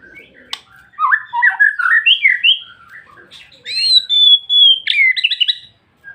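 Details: White-rumped shama delivering a long-rolling song: a rapid run of varied whistled and chirping notes, then a clear, bright, sustained whistle that slides slightly before breaking into quick, jumbled trills.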